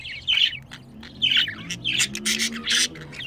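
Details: Budgerigar pair kept as pets, male and female, heard during mating; loud squawky chirps and rasping bursts at irregular intervals, with a faint low murmur underneath.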